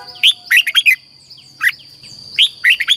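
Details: Red-whiskered bulbul song for stimulating caged birds in Thailand: a rapid run of bright chirped notes, a single note, then another quick three-note phrase, over a faint steady high tone.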